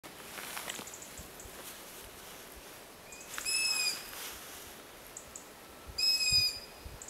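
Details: Young long-eared owl begging for food while its begging siblings call around the terrain: two drawn-out, high, squeaky screeches about three seconds apart, with fainter distant squeaks from the siblings in between.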